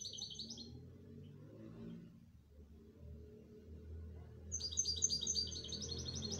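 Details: Canary song in short bursts: a brief high trill at the start, a pause, then a longer stream of fast repeated notes, over a steady low rumble of background noise.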